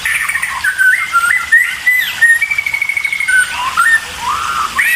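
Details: Hungry white-rumped shama nestlings being fed by a parent bird, giving a loud run of varied whistled notes that slide up and down, with a rapid chattering stretch in the middle and short pauses between bursts.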